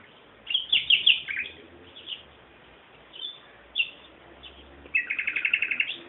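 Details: Bird song with short high chirps and trills, a quick rattling trill near the end, low-bandwidth recording.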